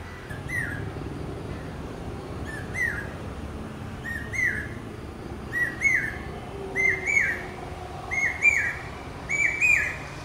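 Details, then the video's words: Common hawk-cuckoo, the brain fever bird, repeats its shrill two-note 'pi-peeah' phrase about every one and a half seconds. Seven phrases grow steadily louder in a crescendo, with faint background noise. "Common Hawk-Cuckoo calling...pi-peeah...pi-peeah...pi-peeah... (പേക്കുയിൽ കിഴക്കേ വാ....)"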